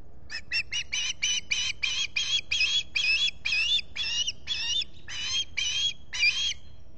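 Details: Agitated-sounding string of piercing whistled chirps from an osprey at its nest in the Finger Lakes region, US, on 23 July 2021 with a visitor present. Notes start fast and slightly slow, around sixteen in all. Solar-powered nest camera.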